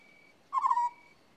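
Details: An African scops owl gives one quick, low, burry note with a slight downward slur, over a thin constant high-pitched background tone.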